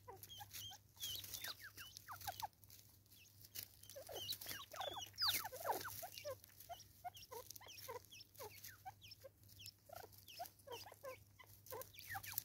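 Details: Natal spurfowl in South Africa, 2024, calling raucously: fast, irregular runs of short, scratchy notes, about two per second, rising and falling in pitch, over a constant low electrical hum.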